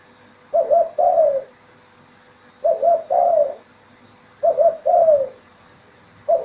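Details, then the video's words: A spotted dove (tekukur) in an Indonesian village in the morning gives low, soft coos in paired phrases, a short note then a longer drawn-out one, repeated about every two seconds against a quiet background. "Suara Burung Tekukur"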